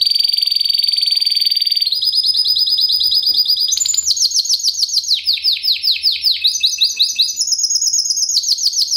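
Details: Timbrado Español canary from 2013, a strong, metallic, fast classico singer, delivers rolling trills at several pitches, then switches to slower, repeated sweeping notes toward the end.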